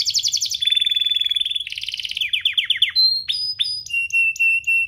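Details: Training song for young canaries, also used to get them singing: a buzzy rattle and a steady held whistle, then quick falling chips and several clear flat whistled notes, spaced about half a second apart.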